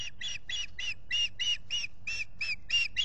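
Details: Pair of ospreys at the nest at Salt Point near a lake, nest camera, April 19, 2021, spring nesting season. Loud, continuous, shrill whistled chirps repeated about four times per second throughout.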